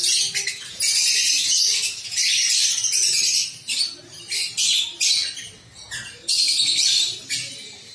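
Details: Several pet lovebirds chattering with harsh, high-pitched squawks and chirps in dense bursts lasting one to two seconds, separated by brief quieter gaps.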